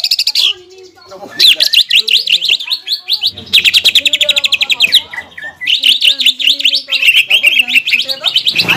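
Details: A greater green leafbird delivers a provoking lure song of varied mimicry aimed at rival leafbirds. Busy rapid zigzag notes, high rattling runs and descending slurs follow one another with brief gaps, faint softer chatter underneath.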